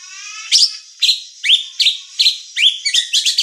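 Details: White-rumped shama (murai batu) singing: loud upward-swept whistled notes repeated about every half second, quickening into a rapid stuttering burst at the close.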